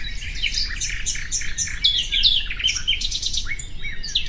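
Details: Common nightingale song, presented as relaxing bird sounds: varied whistled and chirping phrases with rising and falling notes, some sharp trills, steady low background rumble.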